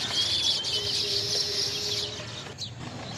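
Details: Indian little green bee-eaters chattering in thin, high twittering notes for about two seconds over a faint steady tone, then a brief sharp chip before the sound drops away to quiet background.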